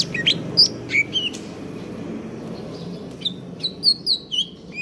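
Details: Greater green leafbird, kept in stable condition, singing a 'konslet kejer nembak' song: clear looping whistled notes in bursts, a pause, then a quick series of high slurred whistles against a low background hum.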